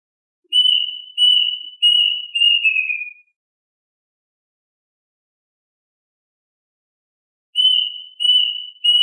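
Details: Plaintive cuckoo song for calling the flock. Four quick clear whistles fall away at the close, then about four seconds of silence, then a fresh phrase of three whistles begins.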